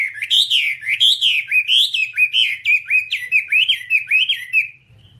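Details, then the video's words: Hour-long Whambie tutor song for caged birds: a bright, unbroken run of loud whistled notes, each dipping and climbing in turn, delivered rapidly for nearly five seconds before fading out. "Masteran Whambie nonstop 1 jam"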